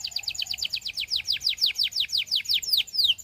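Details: Canary singing in a practice recording for song training: a rapid trill of about twenty sharp, downward-sweeping whistled notes, evenly spaced, with the last few notes longer and more spread out, over a faint low background hum.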